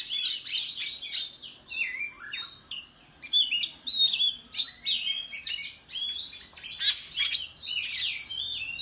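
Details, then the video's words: Countryside Oriental magpie-robin in a singing contest with a tail-fanning display, pouring out loud, varied phrases of clear whistles, downslurs and buzzy twitters separated by brief pauses. "Chích Choè Than Hót Múa Xoè Hót Đấu Tại Vùng Quê"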